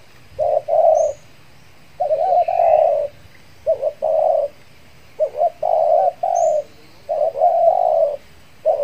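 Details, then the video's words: Spotted dove decoy calling to attract wild doves in the Riau Islands, Indonesia, after its moult; repeated hoarse coo phrases every one to two seconds, with a faint high chirp from another bird. "PIKAT TEKUKUR"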